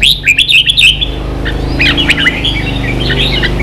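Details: Red-whiskered bulbul song used to train young birds in the 'ché' singing style: about one second of quick, bright, chattering whistled notes, then softer scattered phrases over a steady low hum.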